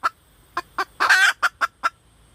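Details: Female red junglefowl uttering spaced single clucks that build to a long, rough, buzzing note, then three quick clucks trailing off.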